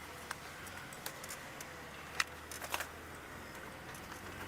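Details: Scattered clicks and soft pattering over a low steady hum, with no clear animal call.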